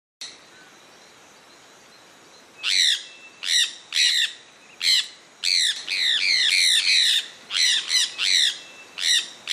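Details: Sulphur-breasted parakeet (cacaué), a resident of Brazil in Pará and Amapá, giving harsh, shrill squawks with downward-bending harmonics, in irregular bursts after a quiet start, some calls running together in quick series.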